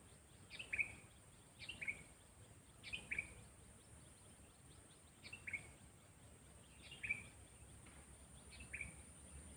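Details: Sooty-headed bulbul (kutilang) being trained as a decoy bird for trapping, giving short bright phrases of two or three sharp notes, each ending in a brief trill, repeated about every one and a half seconds over a steady background hiss.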